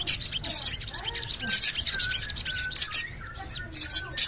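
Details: Javan cochoa calling to coax other birds into song. Thin, piercing chirps are grouped in rapid bursts, with quieter short whistles and a faint low hum beneath.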